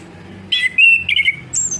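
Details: Song of an orange-headed thrush, used to rouse a bird that has gone quiet: a bright whistled note slurring into a sustained level whistle with warbled inflections, ending in a thin, very high squeaky phrase; soft background hum.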